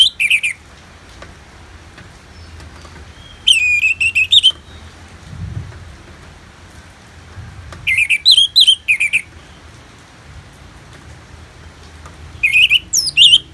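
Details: Orange-headed thrush (Anis Merah) singing, Bali, recorded for therapy alongside rain sounds: bursts of fast warbled whistles every few seconds, with a soft rainfall hiss between phrases.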